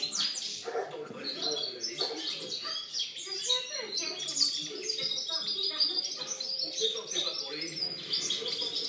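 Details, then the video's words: European goldfinch in full song, 2013 recording: a long, continuous, jingling twitter of high, tinkling notes and buzzy trills, fast and irregular throughout. "Chant chardonneret"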